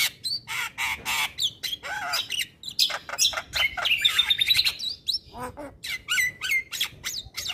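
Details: Male white-eyed Javan myna in full song, meant to coax lazy mynas into singing: dense clicks and rasping notes, then a long rising chattering whistle sequence, followed by spaced chips and short whistles.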